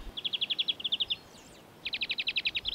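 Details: European greenfinch, common in residential areas, sings canary-like: fast trills of about ten notes per second at varying pitches, one lower than the next, with brief pauses between.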